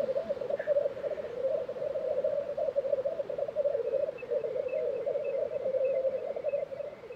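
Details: Black grouse at their April 2023 lek in Tiveden, Sweden, producing a constant low rolling bubbling, while a faint series of high repeated notes from another bird sounds in the second half.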